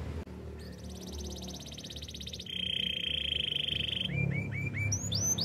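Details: Canary song for training canaries: quiet start, a soft high rolling trill, a louder lower buzzing trill, then short rising whistled notes repeated in a short series.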